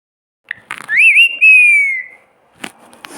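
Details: Parrot imitating a cat's meow: a single clear whistled note that rises, wavers, then slides slowly downward for about a second, framed by a few short clicks and brief noises.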